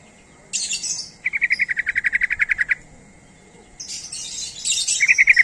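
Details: Sooty-headed bulbul giving a call to entice other bulbuls: a harsh buzzy burst, a long rapid rattle of about eighteen clear notes, then more raspy bursts and the rattle starting again.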